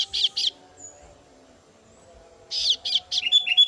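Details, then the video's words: Begging female kasu-kasu chick calling its parent: a pair of rough, buzzy notes, a quiet gap, then a rapid string of three harsh bursts followed by short sharp chips. "suara anakan burung kasu kasu betina memangil induk nya"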